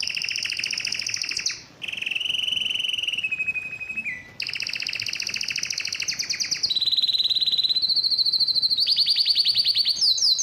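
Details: Excited male canary singing, wanting to mate: a long varied song of rapid trills and rattles, some buzzy, others clear and whistled, shifting pitch in blocks every second or two, with short pauses between phrases.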